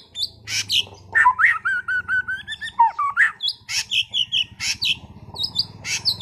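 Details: Singing caged white-rumped shama of competition class from Sragen: loud sharp chips alternate with a run of rapid, slurred whistles and stuttering notes, with a constant low hum underneath.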